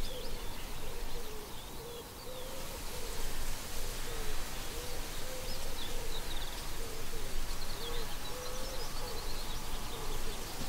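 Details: Wild Common Cranes at Gallows Bridge Farm, Upper Ray Meadows reserve, Buckinghamshire, UK, May 2018, filmed by iPhone 7 through a scope: repeated clipped, mid-pitched calls, several each second, running through the clip, with faint distant songbirds.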